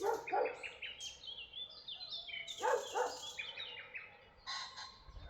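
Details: Mixed bird voices in Tuzla: high chirping twitters from several birds, with lower, harsher repeated notes standing out at the start and near three seconds.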